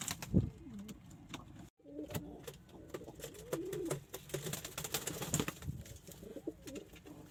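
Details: Pigeons cooing: low, throaty rolling coos with wavering pitch, overlapping and repeated through the recording, with a brief cut near the start and scattered clicks and tapping around the birds.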